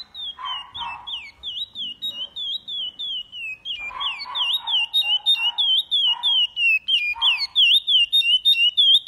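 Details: Chestnut-bellied seed finch (curió) singing the Paracambi song style with repetition: a rapid, continuous run of clear, high, slurred whistled notes, about three per second, dipping and rising, with lower bark-like noises beneath the first half.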